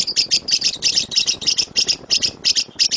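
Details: Lovebird song in the 'gemuruh tembakan' (rumbling volley) style, used as a master recording for training birds: shrill, harsh chattering bursts, repeated about three times a second in an uneven run, with faint room echo.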